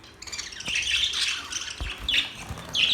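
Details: Budgerigars singing and chirping: a dense, continuous high-pitched warble of scratchy chatter and quick squeaky notes, with sharper chirps standing out near the end, and a few low thumps underneath.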